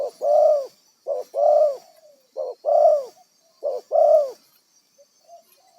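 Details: Spotted dove, a wild decoy bird for trapping, repeating hollow two-note coos, short then long and swelling, three times, trailing off into faint soft notes.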